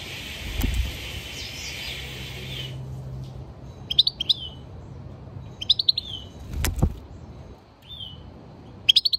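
A European goldfinch gives bright, tinkling twittered phrases in short bursts every two seconds or so, with a steady hiss in the opening seconds.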